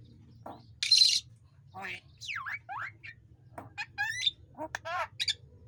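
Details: Javan myna song, used as master song so quiet birds start answering; a varied run of short whistles, sliding and rising notes, a harsh hissing burst, and rapid chattering phrases, with a low hum beneath.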